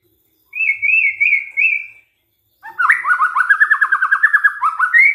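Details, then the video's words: White-rumped shama singing on a lure track meant to provoke rival shamas: a sustained, gently wavering whistle, a brief silence, then a fast rattling series of repeated whistled notes. "DICOBA PANCINGAN MURAI INI, pasti murai tak tahan diam"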